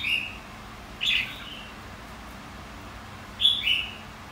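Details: Red-whiskered bulbul, white-cheeked form, in competitive singing training: three loud, short, fluty whistled phrases, each dropping slightly in pitch, separated by quiet gaps of over a second.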